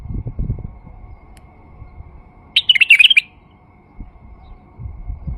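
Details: A male white-eared bulbul gives one rapid, bubbling phrase of clear whistled notes lasting under a second, used to stir silent bulbuls into song, with faint low rumbles before and after.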